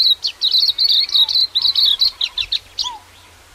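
A Silvereye's high, rapid warbling chatter of thin twittering notes, broken by a couple of softer, lower slurred whistles, against a quiet background.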